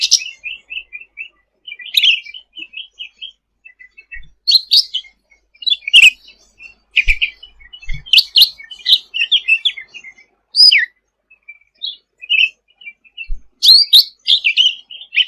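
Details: A lively sooty-headed bulbul recorded for training birds: long stretch of rapid twittering and whistled phrases, bright chirps in irregular bursts with a few soft low thumps in between.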